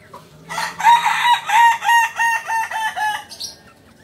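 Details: Kukuak balenggek cockerel of Solok, West Sumatra, giving a long multi-part crow: about seven pulsing, evenly spaced syllables over two and a half seconds, harsh and harmonic-rich.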